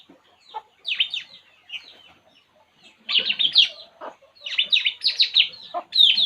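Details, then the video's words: Puling bird relaxing, uttering sharp descending chirps. Sparse at first, the notes become a dense, loud chattering series in the second half. "burung puling. Inilah yg dilakukannya saat santay"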